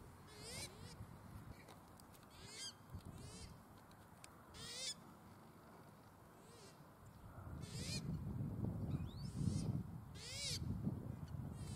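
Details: Pukeko (Australasian swamphen) at Waterford park, Christchurch, in April 2019: nasal, arching screech calls repeated about every two seconds, with steady low wind rumble that grows louder near the end.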